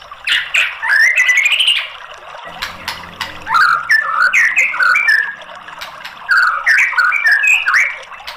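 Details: Loud song of a white-rumped shama, meant to stir a quiet bird into singing: a fast tumbling warble of rising whistles, a pause with a soft low rattle, then repeated upslurred whistled phrases.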